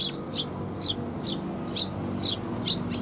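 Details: Eurasian tree sparrow fledglings being fed by their parents, recorded 6 May 2021; short high chirps repeated roughly twice a second at irregular intervals over a steady low background hum.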